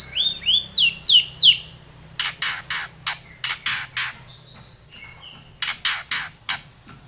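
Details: Long-tailed shrike calling to provoke a rival: rising whistled sweeps lead into loud, harsh broadband screeches repeated rapidly, with short whistled notes between.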